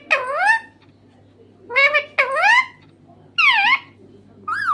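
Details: Talking green parrot delivers several loud, wavering, word-like syllables in bursts, some paired closely, others separated by a second or more of quiet.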